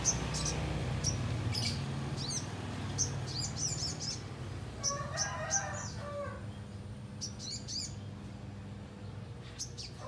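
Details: Little spiderhunter calling a rival, used as a lure: sharp, high chips repeated rapidly in short bursts, while a rooster crows in the middle and a low hum runs underneath.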